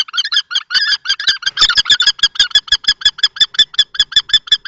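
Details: A common kestrel gives harsh, strident kee notes, about three per second, in a steady series. They come from a long fight between an adult male and a young male at a nest box in Théding, March 2024.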